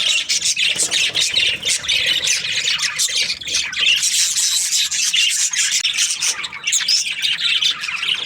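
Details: Breeding-pair budgerigars chattering loudly: constant overlapping squawks, chirps and rasping warbles, with slight rhythmic swells in volume.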